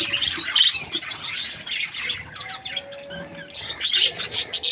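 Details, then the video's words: Budgerigars chattering happily, quick high squeaks and warbles about three per second, broken by a quieter gap with faint thin tones in the middle. "Happy Budgie chirping sounds"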